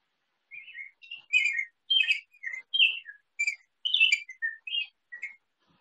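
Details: A young male Rose-breasted Grosbeak in not fully mature plumage, visiting a feeder for grape jelly, sings a sweet, robin-like warble: a dozen quick slurred phrases rising and falling over five seconds.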